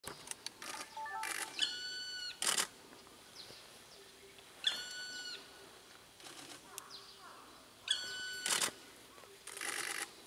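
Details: Black woodpecker in Hokkaido, Japan: three separate drawn-out, harmonic-rich calls with a slightly falling tone, spaced about three seconds apart. Loud sharp clicking bursts come between them.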